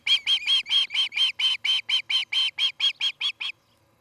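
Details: Nest-camera recording from Charlo, Montana, 17 August 2018 evening, of an Osprey from a nesting pair: around fifteen loud, evenly spaced whistled chirps in quick succession, ending abruptly before silence.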